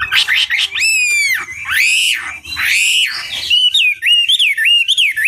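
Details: Chinese hwamei singing long drawn, rich whistles that arc up and down slowly, followed by a quicker run of wavering whistled notes.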